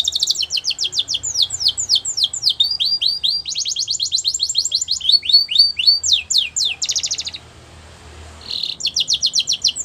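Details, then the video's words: Canary song in the wild: fast trilled runs of sharp descending notes and buzzy rattles, a brief pause, then the high trilling resumes. "Melodies Canary In The Wild"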